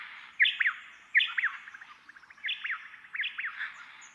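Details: White-eared honeyeaters, two birds counter singing in a spring or summer dawn chorus, alternating the same phrase unique to the dawn chorus: sharp whistled notes around rapid up-and-down slurred chirps, phrases repeating roughly every second, clear against a quiet background.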